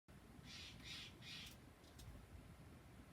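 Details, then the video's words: Steller's jays giving their morning call for peanuts after a very windy night: three harsh, rasping notes about half a second apart, then two fainter ones, over a low rumble of wind. "Steller’s Jays - the morning call for peanuts"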